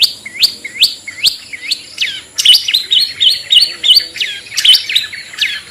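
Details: Long-tailed shrike song meant as a lure for reluctant singers: repeated upward-hooked whistled notes about twice a second, then a faster run of sharp chipping, scratchy notes, with faint background rustle.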